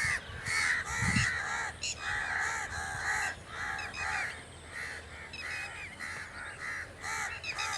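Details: Continuous harsh crow cawing, rasping calls tumbling out almost twice a second, overlapping as if from several birds, with a low thud near the start.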